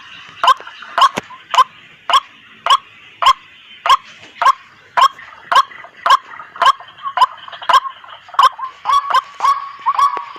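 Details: Repeated White-breasted waterhen calls used as hunting bait to draw others in: short, sharp croaks at a steady beat, nearly two per second, quickening slightly toward the end over faint background noise.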